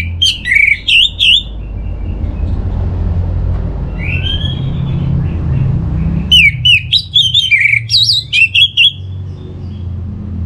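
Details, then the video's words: Orange-headed thrush singing, used to stimulate birds to sing: clusters of jumbled, twisting whistles and chirps, a quieter slurred phrase midway, and a long low rumble between outbursts. "Pancingan Burung ANIS MERAH Agar Gacor"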